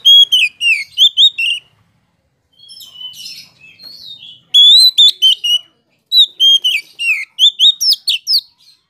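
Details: Poci-type Oriental magpie-robin song meant to rile rival magpie-robins into answering: bursts of rapid, loud whistled notes in repeated phrases, broken by a softer scratchy twittering passage in the middle, with short pauses between bursts.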